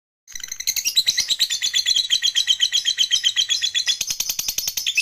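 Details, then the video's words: Lovebird making its long ngekek chatter while falling asleep: after a brief silence, a fast, steady stream of high, buzzy, scratchy notes repeats about four times a second and continues without a break. "LOVEBIRD NGEKEK SAMBIL KETIDURAN"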